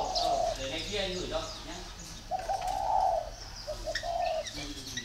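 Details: Captive-bred spotted dove in northern Vietnam, voice described as 'very taut'. Mellow coos open the clip, followed by a long sustained coo near the middle and another near the end, over a persistent low hum.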